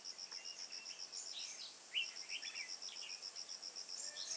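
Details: Red-whiskered bulbul at a trapping site in Kim Bôi on 21 May 2018: short high chirps and quick downslurred whistled notes scattered through the clip, over steady pulsing insect trills and a constant high hiss.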